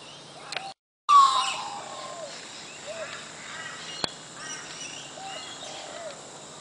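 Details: Australian magpies singing at Coffs Harbour, Australia: a series of short fluted, curving notes repeated at uneven intervals, preceded by a brief sharp gliding whistle, with a single click midway.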